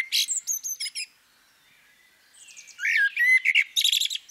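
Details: Female common blackbird: a quick run of high, thin, chirping notes, a second of quiet, then a fluted, slurred whistle that rises into rapid, squeaky twittering.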